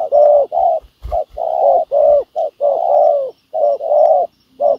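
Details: Cooing of a spotted dove decoy set out to lure wild doves: mellow low notes in short-long pairs, steady and close, with a few soft thumps near the start and a faint high hiss throughout.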